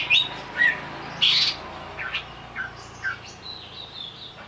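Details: Greater green leafbird provoked into agitated singing: scattered short, sharp chirps and slurred notes at high pitch, spaced roughly every half second, over a faint background hiss.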